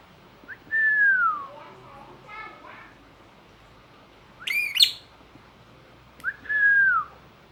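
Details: Lovebird making strange sounds: a long falling whistle, a short soft rattle, a harsh squawking burst, then another drawn-out whistle sliding downward.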